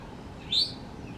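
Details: Eastern towhee foraging on the ground on a backyard lawn in the mountains of North Carolina in the morning gives its whistle call: a single short, clear whistled note that slurs slightly upward, over a faint low outdoor hum.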